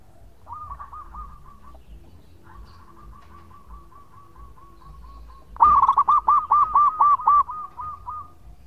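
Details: Local zebra dove singing for a lure recording: a long run of faint, evenly spaced coos from a distant dove, then a loud nearby phrase of rolling, looping notes repeated quickly.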